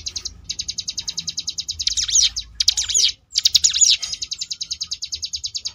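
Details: Sunda bush warbler (ciblek gunung) in the ngebrem variation, meant for training contest birds: steady high buzzy rattling pulses, then louder tangled twittering bursts, a brief silence, and rattling resumes to the end.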